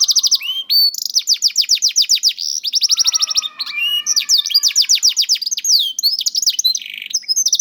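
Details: Juvenile canary (kenari paud) lure song used to coax slow-singing canaries: rapid rolling trills of high ticking notes, broken by swooping whistles and a brief lower warble midway, continuous throughout.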